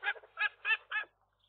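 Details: At the nest of a young gull pair on the day of their first egg; four loud, harsh, hoarse squawks in quick succession, then silence.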